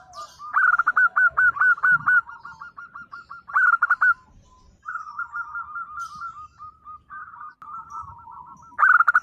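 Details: Local zebra dove singing energetically to provoke silent doves into replying: a long run of quick, evenly spaced clipped coos, then brief loud bursts and gentler trilled cooing strings from overlapping birds.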